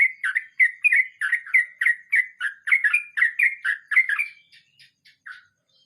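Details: Trucukan, or sooty-headed bulbul, singing its 'ngeroll mbonang' roll: a brisk chain of bright, slurred chirps that fades into a few soft, scattered notes and then silence.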